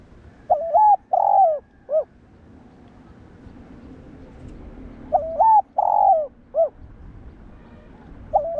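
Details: Spotted dove's rhythmic coo, used to provoke and train other doves. Two full three-part phrases about four seconds apart: a short stepped note, a long drawn-out falling coo and a short clipped end note, then another phrase begins.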